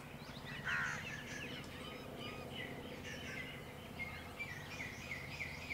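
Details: A pair of wire-tailed swallows perched on an aluminium swimming pool ladder in a Delhi garden, using it as a launch pad for sallying out after insects over the pool; thin high chirps and twitters throughout, one louder lower note early, steady low hum beneath.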